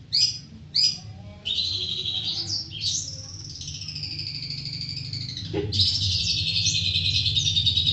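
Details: Long-tailed shrike opening with two short sharp chirps, then breaking into a sustained, scratchy, run-on warble with slurred whistles and a sudden downward sweep before more rapid chatter; low background hum throughout.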